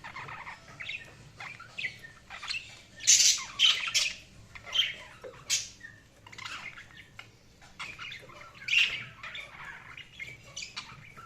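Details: Budgies chattering with scratchy squawks and high chirps, a dense loud burst near the middle and scattered calls around it.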